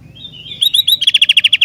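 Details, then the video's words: Sooty-headed bulbul singing: a thin rising whistle, three clipped high notes, then a rapid series of sharp, bright chirps repeated at a steady quick beat to the end. "Kicauan Gentilang Istimewah"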